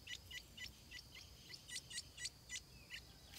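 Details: Young stripe-throated bulbuls close to leaving the nest, uttering brief high chirps at irregular intervals, some doubled, with a steady insect whine behind.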